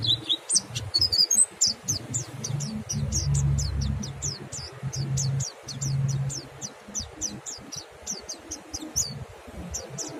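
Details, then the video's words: Mountain white-eye in ngalas style, meant to prompt other birds to sing; a steady series of short, high, sharply falling notes repeated about twice a second over a low droning background hum. "suara monty NGALAS merangsang monty YANG LAIN IKUT BUNYI"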